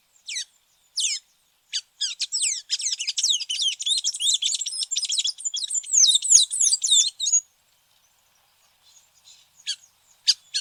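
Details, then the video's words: Tanager singing a fast, continuous high twittering song of quick slurred notes for about five seconds, then a few isolated chips after a pause. "SONIDO DE LAS TANGARAS"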